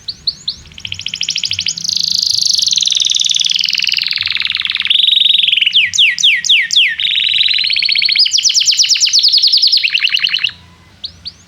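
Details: Singing canary, played as a lure to teach young canaries their song: long rolling trills and buzzy sustained phrases, broken by quick sweeping notes and rapid staccato runs, ending abruptly with a few soft chirps.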